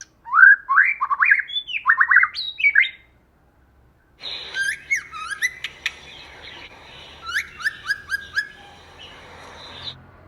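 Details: White-rumped shama, female and male kept as lure birds, singing in the wild 'forest voice' style: rich, varied whistled phrases rising and falling, a short pause, then further sharp whistles and slurred notes over faint background hiss.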